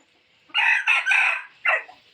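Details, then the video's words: Rooster crowing as a decoy to lure wild fowl from the forest: one loud, harsh crow in three joined bursts followed by a short, falling final note, over quiet background hiss. "tiếng gà trống kích mồi chuẩn,suab qaib qua zoo cuab tuaj zoov heev."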